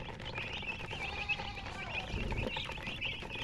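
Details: Chicks with a hen give continuous high thin peeping chirps, many overlapping, with some low rustling and faint background noise.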